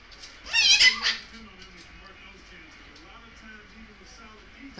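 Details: A pet Goffin's cockatoo, asked to say bye bye, gives a short burst of two or three harsh, harmonic squawks, followed by a quiet stretch with faint murmuring.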